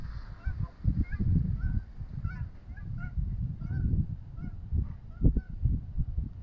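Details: Canada geese together at a pond: short nasal honks from several birds, repeated irregularly through the clip, over heavy low rumbling noise.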